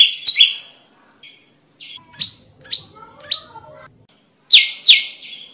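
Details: Prinia known locally as prenjak lumut, recorded for luring and training birds: sharp downward-sliding chirps in a pair, a pause, then spaced single notes, ending with two loud chirps.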